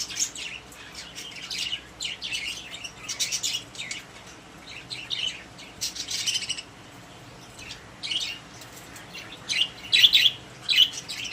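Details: Pet budgerigars kept together in a cage give scattered, sharp chirps and short twittering runs throughout, with uneven spacing and a few louder clusters near the end.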